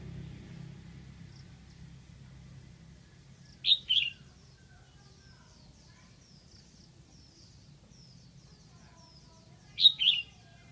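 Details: Red-whiskered bulbul, a decoy bird from Lạng Sơn calling to attract wild birds: two loud, short warbled phrases about six seconds apart, with faint high chirps from distant birds between them and low background hum.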